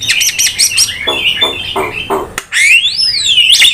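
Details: Javan myna singing as a lure and tutor recording: harsh buzzy chatter in quick pulses, a short gap, then a long clear whistle that rises and falls before a final upward note.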